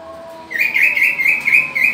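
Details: Green leafbird in a pairing setup: a continuous, wavering warble of slurred notes held for over a second, bright and slightly buzzy, over steady low background noise.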